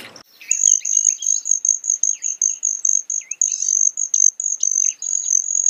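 A Broad-tailed hummingbird gives a thin, very high, metallic buzzing trill of quick pulses, with softer lower chips mixed in.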